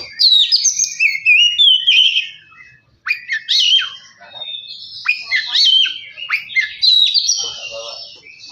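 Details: Oriental magpie-robin song used to coax a reluctant bird into singing and agitation: fast, varied whistled phrases and sharp chips, a brief silence, then another energetic stream of notes.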